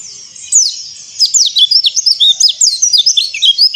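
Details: White-eye song, used to get silent birds singing: after a faint opening, a fast run of high, thin, sliding whistled notes, each a quick up or down slur, packed densely and continuing unbroken to the end.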